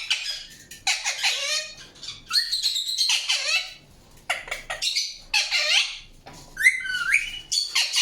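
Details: Indian ringneck parakeet calling in separate bursts of high, raspy, harmonic chirps, some notes sliding downward and others swooping upward, with short silent gaps between the bursts.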